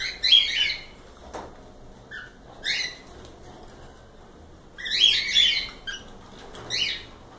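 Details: Cockatiels in a live stream, giving clusters of harsh, rasping chirps separated by pauses of a second or two, with a soft thump and light rustling between them.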